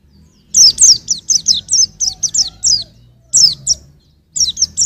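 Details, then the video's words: White-eye song for songbird training: a long, lively string of high, sweet, downward-sliding chirps, nearly continuous for three seconds, then a brief gap before more notes. "Kicau Pleci untuk Masteran"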